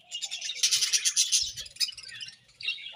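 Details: Budgerigars in the morning giving a short, dense rush of high, buzzy chirps and rapid warbling chatter that swells and then fades, with a few soft low knocks.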